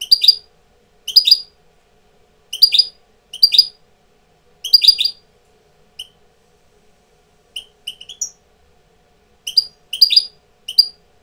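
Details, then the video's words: Tutor European goldfinch coming into breeding condition: clipped, tinkling twitters delivered in short groups roughly once a second, some single softer notes near the end, otherwise quiet background. "jilguero maestro cogiendo el celo"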